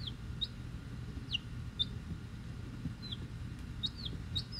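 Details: Week-old chicks, Rhode Island Red and Black Sumatra hens, picked up from the post office already hatched; scattered high, downward-sliding peeps every half second or so over a steady low hum.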